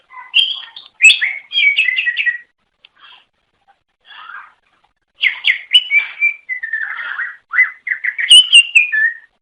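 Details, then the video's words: Cucak ijo, the greater green leafbird native to Indonesia, sings to attract other birds of its kind; bursts of whistled and slurred chirps, a near-silent gap of about three seconds, then a longer varied warbling phrase. "Suara Kicau Burung Cucak Ijo Durasi Panjang Untuk Memikat"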